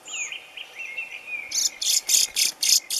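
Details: European robin freed from a mist net during bird ringing at Lake Ladoga, Russia; a faint high warbled whistle followed by six loud harsh broadband bursts about every quarter second.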